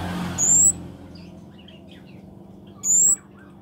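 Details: Two needle-thin, high-pitched rising notes from a Scarlet-backed flowerpecker (cabe-cabean) in lively song, roughly two and a half seconds apart, with a passing vehicle rumble at the start and faint background chirping.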